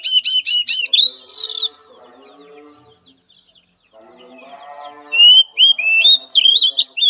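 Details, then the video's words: Oriental magpie-robin singing for therapy training of a timid bird: rapid stacked chattering notes, then a rising whistle, a hushed gap with low background hum, and a closing run of varied whistled phrases. "Latihan Suara Terapi Kacer Lemah Mental"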